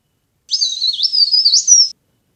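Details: Leaf warbler, recorded for use as a trapping lure: one unbroken run of high, thin twittering notes, about 1.5 seconds long, in a zigzag of fast rising and falling pitch jumps, against a silent background.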